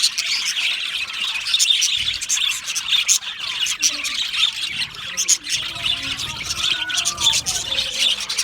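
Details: Australian budgie parrots in an aviary, chirping continuously: a dense chatter of short scratchy chirps and squawks, many birds overlapping at once, with a few warbled notes.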